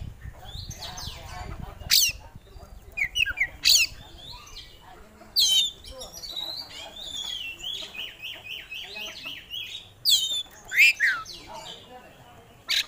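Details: Kacer (oriental magpie-robin) in full song with its repertoire of phrases: varied whistled slurs and chattering runs broken by loud harsh rasping bursts every few seconds, with low background rumble.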